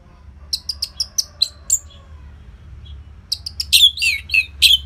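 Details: Orange-headed thrush, northern Bali, singing to coax caged birds into song: six crisp descending chip notes, a gap, then a busier burst of chirps and slurred whistles, faint low hum throughout.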